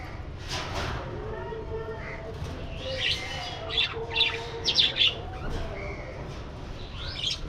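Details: Flock of budgerigars in an aviary, flying and playing: busy, high, scratchy chirps and squeaks clustered in bursts, over wavering lower harmonic tones and a soft background hum.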